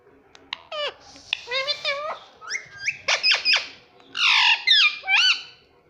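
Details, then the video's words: Pet rose-ringed parakeet, a green ringneck parrot, talking indoors, saying "mummy papa": a string of squawky, nasal, speech-like syllables with sharp bends in pitch, in short bursts with brief gaps, in a quiet room. "mummy papa bolne wala mitthu"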